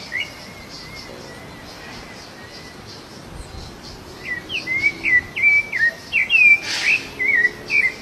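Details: Rufous-bellied thrush singing while free in the wild, also feeding: faint whistles at first, then a run of clear, looping whistled phrases about one per second, over a soft background hiss.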